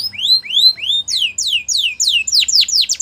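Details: Belgian canary song for training young canaries: slow upward-sweeping whistles followed by faster falling sweeps repeated about three times a second, loud and clear.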